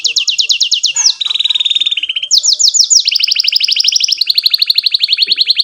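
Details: Canary performing long rolls for training young birds to sing; high rapid trills drop to a lower steady roll, then jump back up to rattling trills that run to the end.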